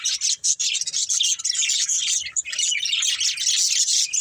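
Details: Budgerigars kept as pets, playing and eating, produce an unbroken, high, scratchy twittering chorus with trilled and squeaky notes.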